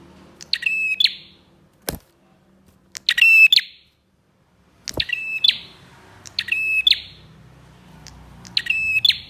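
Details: Bar-winged prinia lure song for drawing out other prinias: loud buzzy, ratcheting phrases with a bright steady tone, five of them in quick succession, broken by two sharp clicks.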